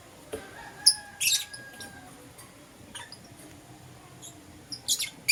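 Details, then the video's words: Green Personata and Yellow Pastel Pied lovebirds chirping in the morning: scattered sharp, very high chirps in short bursts near one, three and five seconds, an earlier thin steady whistle-like tone, over a quiet background. "Lovebird Chirping Sounds - Green Personata & Yellow Pastel Pied"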